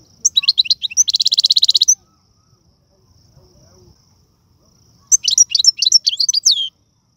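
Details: Caged Algerian European goldfinch singing a prized song with styles called tiwawati, galoubi, serfati and mandolin: fast twittering notes, then a rapid dense trill of about a dozen buzzy repeated notes, silence, then another burst of varied high twitters.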